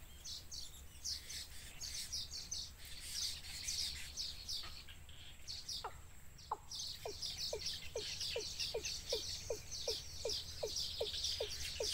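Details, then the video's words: At a wild bird nest, chicks beg their mother for food. Shrill, high, rapid chirps run throughout. Brief, low, downward notes start slowly, then repeat quickly and steadily in the second half. "Baby Birds Pulls Mother Down Because They Want Food"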